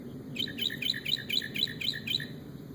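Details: A noise-imitating bird gives rapid, bright chirps in quick clusters, repeated steadily for about two seconds.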